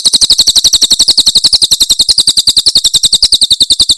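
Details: Javan prinia, Cililin type, delivering a continuous rapid series of piercing, evenly spaced high chips throughout, recorded very cleanly for training other birds.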